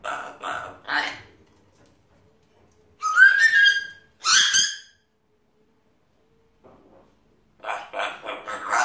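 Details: Male African grey parrot kept at home chattering to himself: short babbled syllables, then bright harmonic whistled squeaks, a long silence, and a final burst of rapid mumbling chatter.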